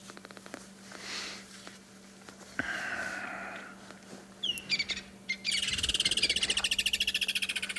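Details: Woodland Kingfisher at sunrise on 18 November 2021 at Djuma, first detected by its call and then confirmed by sight. Scattered sharp chirps lead into a fast, even, high trill of rapid pulses lasting about two seconds, over a steady low hum.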